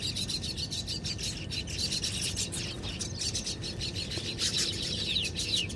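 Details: Baya weavers (Ploceus philippinus) building nests in Haryana, India, early morning around 6:30, give a dense, continuous wheezy chatter of many overlapping high chirps and sizzling notes, over a low steady rumble of wind or background noise.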